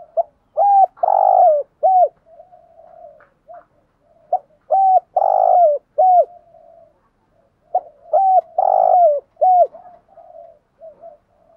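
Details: Spotted dove in thúc gù lure calling meant to make wild doves answer. Three phrases of low, hollow coos, each a few short notes around one stronger, longer note, repeated about every 3.7 seconds with soft murmuring between.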